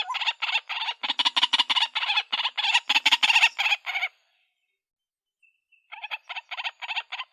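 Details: A female white-breasted waterhen calling for a mate. A fast burst of harsh, high, rattling notes lasts about four seconds, then near silence, then a shorter run of the same rasping notes resumes.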